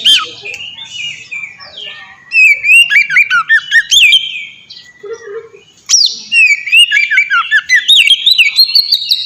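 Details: Oriental magpie-robin (kacer) song in the 'ngeplong' style, used as a master lure to train birds: loud, varied whistled phrases with rising and falling notes and sharp chips, in bursts separated by short pauses.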